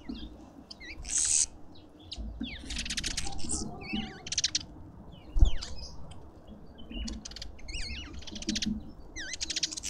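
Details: Lovebirds at a feeder in a South African suburban garden in Pretoria give scattered piercing chirps with quick pitch wiggles and short rasping bursts, separated by brief gaps, over faint low noise and an occasional knock.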